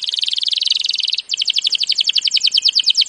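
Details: Canary singing a training song: a rapid buzzy roll, a short pause, then a steady pulsed trill of repeated notes, about three per second.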